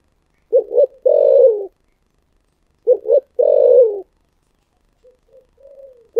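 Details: Two thổ sấm style coo phrases from a spotted dove, each a double short note leading into a long, falling coo. Softer, low murmured coos trail after them.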